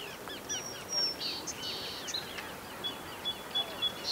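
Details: Allen's hummingbird at Upper Newport Bay (Back Bay), Orange County, California, gives rapid, sharp chips several times a second, with thin, very high drawn-out tones over a busy background of other chirping birds.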